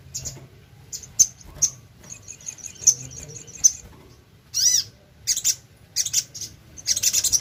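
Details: Sogon (little spiderhunter) singing vigorously as a lure: a steady series of about a dozen evenly spaced high tinkling notes, then a loud falling note followed by bursts of shrill, rapid chattering.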